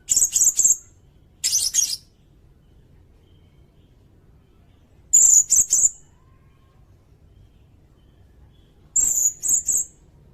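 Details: Sirindet song intended for teaching songbirds: four phrases of two or three sharp, very high, whistled chirps, some slurred downward, repeated every few seconds against a quiet background.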